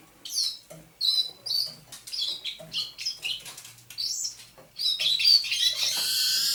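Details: At dawn on 27 November 2021, a caged thrush nightingale from near St Petersburg, caught in May 2019, delivers a chain of high twisting whistles and chips that ends in a harsh, sustained hissing rattle.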